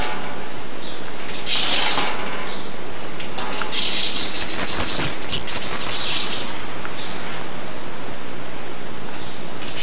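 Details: Bananaquit: a faint high squeak, then a longer rapid run of very high, wheezy, sizzling notes lasting about two and a half seconds, over soft background hiss.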